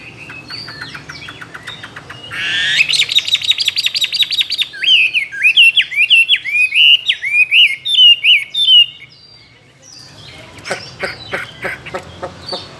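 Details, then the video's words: A tame caged Chinese hwamei, two years in the cage and with many wild-type voices, sings a loud, varied song: a fast run of repeated high notes, rich rising and falling whistled phrases, then sharp staccato chips. "Họa mi thuần nhiều giọng rừng"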